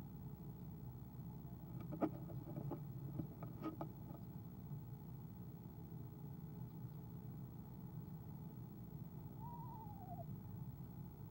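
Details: Eastern screech owl on an owl cam, 17 February 2015, soft-trilling when its mate arrives; early sharp knocks and scraping sounds, then near the end a single quavering trill that rises and falls, over low background hum.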